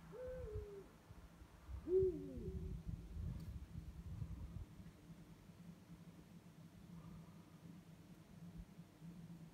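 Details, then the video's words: Eurasian eagle-owls, a pair calling at night; two short hoots about two seconds apart, each dipping in pitch, followed by quiet with faint low rumbling noise. "Uhus rufen in der Nacht"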